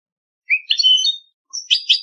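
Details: Competition song of a European goldfinch: a rising buzzy twittered phrase followed after a short pause by two quick bright chirps, no other sounds.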